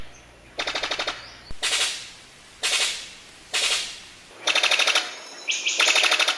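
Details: Male Brown Sicklebill courting females in the breeding season from a cleared display branch in a tree: loud, harsh machine-gun bursts, each a rapid rattle about half a second long, repeated roughly once a second; a few faint chirps in between.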